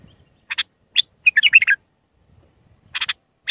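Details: Tutoring song of a raw Mandalawi-style Iraqi bulbul: short doubled chips, a fast tumbling warble of five or six notes, then more clipped chips after a pause.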